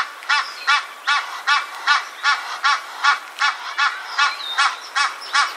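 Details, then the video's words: An Egyptian goose gives a steady series of harsh, nasal honks, about two or three each second, with a faint high whistle in the background. "Egyptian Goose (Alopochen aegyptiaca) Bird Call"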